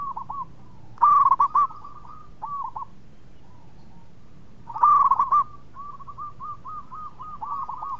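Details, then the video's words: Sweet-voiced local zebra dove, a frequent singer that prompts others to call, gives two loud bubbling bursts of quick hooked coos, followed by a softer evenly repeated run. "PERKUTUT LOKAL GACOR SUARA MERDU TUKANG PENGUNDANG BUNYI"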